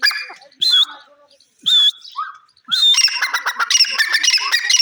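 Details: Grey francolin calling: a few loud, harsh squawking notes with pauses, then a continuous burst of rapid, raucous, grating notes.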